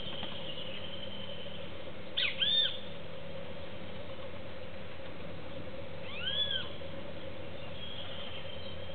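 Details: Young cowbird at a seed feeder alongside doves, giving two short arched whistled calls about four seconds apart, each with a fainter lower echo-like note, over constant low humming.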